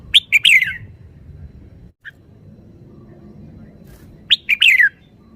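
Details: Red-whiskered bulbul song: a lively phrase of three or four sharp, bright whistled notes sliding downward, a faint single chirp in the quiet middle, then the same phrase repeated near the end.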